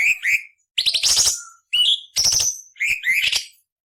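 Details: Cucak cungkok singing a rough variation for tutoring murai, cucak ijo and kacer: paired rising whistles, then harsh grating buzzy bursts mixed with clear whistled slurs, five phrases in quick succession.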